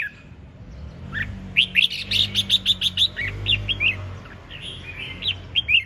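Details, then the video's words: Red-whiskered bulbul singing hard in ché chẻ style: a fast, even run of about twelve sharp chirps lasting nearly two seconds, then several looser warbled notes, with a low hum beneath. "5 Phút Chiến Binh Hót Cực Sung ( Ché Chẻ Cực Đỉnh)"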